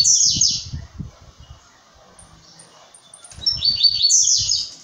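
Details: {'caption': 'Blue-black grassquit in brown plumage sings a buzzy wheezing phrase at the start and another after a quiet gap. Low thumping knocks accompany both phrases.'}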